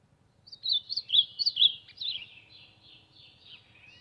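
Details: Ultramarine grosbeak warming up its voice: a lively phrase of looping whistled notes that starts loud and trails off into softer, drawn-out slurs, with a faint low hum underneath.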